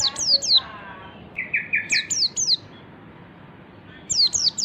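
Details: Wild white-eye lure song: a couple of high falling chirps, a buzzy lower trilled phrase topped by three sharp chirps, a short quiet gap, then another quick burst of high descending notes.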